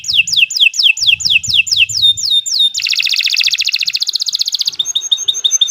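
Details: Kenari Nusantara canary giving gacor song for tutoring young birds: quick repeated falling chirps, a long dense high rattle, then a softer run of short clipped notes.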